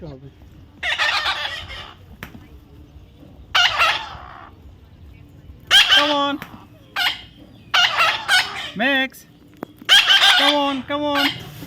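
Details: Baby parrot during taming gives drawn-out rasping squawks in irregular bursts while a man repeatedly says "come on" between the calls.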